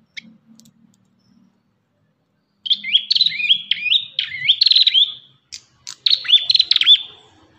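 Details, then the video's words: Ashy tailorbird (red-headed prenjak) in a tutoring recording gives a fast, lively run of high, sharp chirps and upslurred whistles in two bursts after a faint low murmur. "MASTERAN BURUNG PRENJAK KEPALA MERAH"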